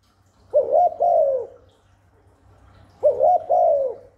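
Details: Spotted dove cooing to lure wild doves and stimulate newly kept ones: two soft, low phrases about two and a half seconds apart, each a short note then a longer drawn-out coo falling at the end, over a faint low hum.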